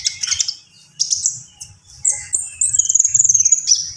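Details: An energetic common iora sings high chirps and short sputtering phrases, then a long, sustained, very high whistled note that wavers slightly, with quick clicks stuttering across it.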